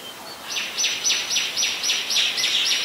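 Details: Oriental magpie-robin singing in Ubon Ratchathani, Thailand, 17 November 2021, a very common resident; a fast series of about nine bright, downward-slurred high notes repeated evenly, roughly four per second.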